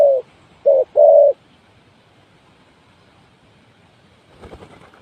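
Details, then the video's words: Spotted dove used as a decoy for trapping: three low hooting coos in just over a second, two short then a longer rolling note, followed by quiet with a faint rustle near the end. "The Sound Of Spotted Dove is good,Bẫy cu gáy bằng mồi trồn,เสียงนกเขาใหญ่,Suara Terkukur Pikat Tua"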